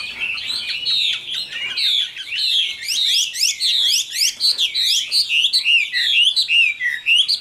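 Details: Caged, mature wild-caught Chinese hwamei of the Tam Hoàng type singing an energetic, loud medley of rapid swooping whistles and chattering trills, nearly nonstop.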